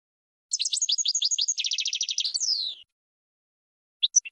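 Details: Goldfinch singing a rapid series of high, liquid twitters that speeds into a tight trill and ends in a falling buzzy slur, followed by silence and a few sharp chirps.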